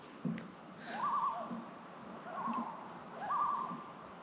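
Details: Two Common Loons on a lake in Ontario's Haliburton Highlands in cool weather call to each other and to another loon on another lake: three wavering, rising calls about a second apart, each quavering high; faint low thumps underneath.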